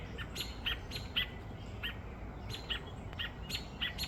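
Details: A robin calling in distress after a crow carried off its two babies one morning: thin, high, clipped chirps repeated irregularly, roughly twice a second at times, against steady background hiss.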